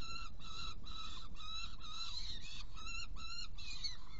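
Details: Prey delivery and feeding of two young by a Saker falcon, Hungary, 16 June 2018, 18:57: grating nasal notes in bursts, some slightly rising, separated by short gaps, with a steady deep rumble behind.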